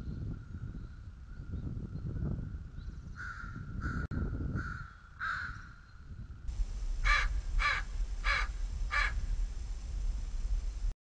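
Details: Bald eagle eaglets at a White Rock nest feeding, early morning at 06:15: scattered harsh begging calls over low rumble, then a quicker burst of four sharp repeated calls.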